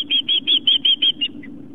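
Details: Osprey on a Long Island, New York nest on an afternoon in September 2007 as fish arrives. Seven sharp, high whistled chirps run quickly, then fade into a last softer lower note. A faint low hum is underneath.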